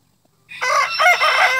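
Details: A crowing rooster, loud and close: after a brief silence a harsh, rough cock-a-doodle-doo bursts out in two strong pulses, ringing with rich upper tones.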